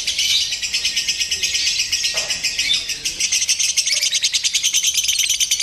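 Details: Lovebird song from a contest simulation meant for mental training: continuous high, raspy chattering with rapid pulsed trills throughout, fairly steady in loudness, faint low background noise.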